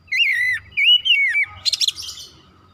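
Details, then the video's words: Oriental magpie-robin in full gacor song meant to rouse other kacer: two rich, wavering whistled phrases sliding up and down, followed by a rapid scratchy high chatter. "TERAPI MERANGSANG KACER CEPAT EMOSI GACOR BONGKAR ISIAN"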